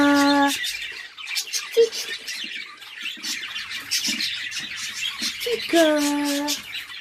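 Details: Budgerigars kept and bred at home as a hobby keep up a busy chirping, warbling chatter, while a woman talks at the start and again near the end.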